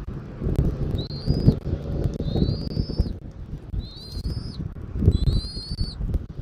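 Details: Bald eagle filmed by a Southwest Florida eagle camera on 13 January 2024, early afternoon: four thin, high, slightly rising whistles spaced about a second apart, over heavy low wind buffeting.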